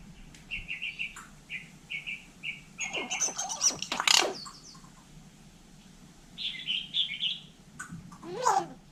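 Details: Hill myna in Vietnam imitating people: a steady series of short whistled notes repeated about every half second, then a harsh scratchy burst, a warbled phrase, and a final rough call.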